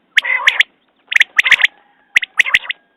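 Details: Quail calling: three bursts about a second apart, each a short harsh, nasal note followed by sharp clipped clicking notes, in otherwise quiet surroundings.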